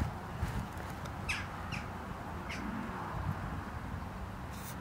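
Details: Three short, sharp 'chak' calls from a Western jackdaw (Corvus monedula), spaced about half a second to a second apart, over a steady low background rumble; recorded 22 August 2022 at Žale cemetery, Ljubljana.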